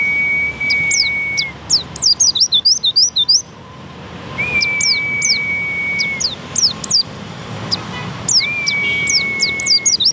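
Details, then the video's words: White-eye pouring out fast strings of thin, high, downslurred chirps between steady, flat, sustained whistled notes lasting one to two seconds; low rumble underneath. "burung pleci"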